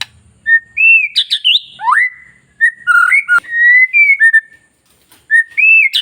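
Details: Song of a long-tailed white-rumped shama, played to stir other shamas to sing: short bursts of fluty whistles, upward slurs and high twittering flourishes broken by sharp snaps, with a quiet gap before a final rising whistled phrase.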